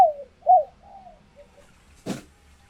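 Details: Female spotted dove, captive and in laying condition, calling to excite males into cooing back and pairing: a few low, hoarse coos that droop in pitch, the second loudest, then fading notes and a sharp knock.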